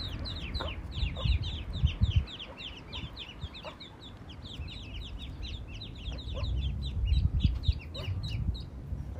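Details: Eastern spot-billed duck mother with ducklings, lost away from any pond or river; dense, overlapping high peeps from many chicks, roughly three per second, with low rumbling and clatter below.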